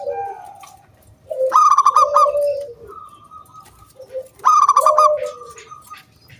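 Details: Local wild zebra dove giving its round 'kung' lure song to set other doves singing. Two strong pulsed bursts, each trailed by a low coo, separated by a faint level whistle-like note.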